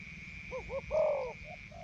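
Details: A captive Spotted Dove kept as a decoy bird in Isan, Thailand, tested after removal from a breeding cage, gives a soft, low coo: two quick hollow notes, then a longer drawn-out coo, over a steady high insect-like hum.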